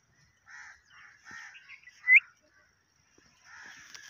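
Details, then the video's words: Parrot from Pakistan speaking Urdu in 2024, giving a run of short nasal, voice-like syllables, a louder rising squawk near the middle, then a few more quiet syllables and a sharp click at the close. "Pakistani parrot talking in urdu"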